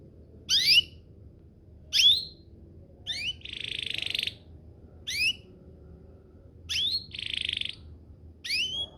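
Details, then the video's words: Canary song used as a lure to get other canaries singing and answering: spaced phrases of quick rising whistled sweeps alternating with short harsh buzzy bursts, separated by pauses, over a quiet background. "Pancingan Burung Kenari agar CEPAT BUNYI, terbukti ampuh bikin burung kenari lain nyaut"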